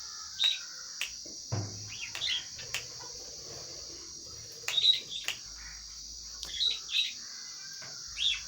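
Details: Lovebirds calling while eating food: scattered shrill, sharp chirps in small clusters, over a constant high hiss like insects or machinery, with soft low clatter.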